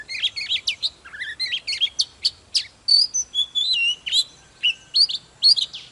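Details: Rapid, varied song of a wild-caught white-rumped shama: crisp chirps and bright whistles tumbling in quick succession, a few sustained pure notes among them.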